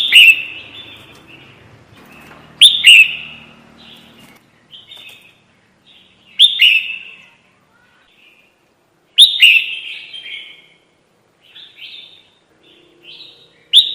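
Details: Red-whiskered bulbul lure recording for trapping: a run of sharp double chirps every three to four seconds, each trailed by quieter short warbled notes, in an otherwise quiet background.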